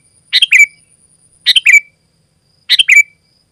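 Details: Vigorous sooty-headed bulbul song for luring other bulbuls and tutoring caged birds: three chirpy, bubbling phrases about every 1.2 seconds, each finishing in a sharp falling whistle, with a faint steady high tone behind.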